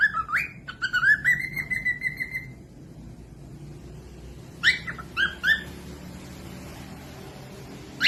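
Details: Cockatiel song played as a tutor for lazy or young birds: two bursts of clear whistled notes rising and sliding, then about two seconds of near silence before a further short run of whistles.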